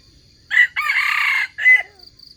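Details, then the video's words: Wild chicken crowing, used as a lure to trap wild chickens: a short harsh opening note, a long loud hoarse middle section and a brief rising end note, with a faint steady high insect hum behind. "Trap wild chickens with crowing voice"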